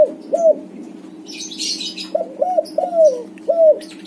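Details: White-coloured backspot spotted dove cooing as a lure for doves that stopped calling: the tail of one phrase, a pause with high chirping, then a full run of four to five mellow coos with a drawn-out falling note, low hum beneath.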